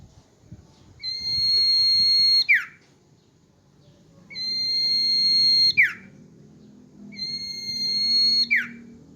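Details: Hand-held captive common iora singing steadily: each phrase is a sustained pure whistle ending in a sharp falling flick. Three phrases come roughly every three and a half seconds, with faint indoor rumble beneath.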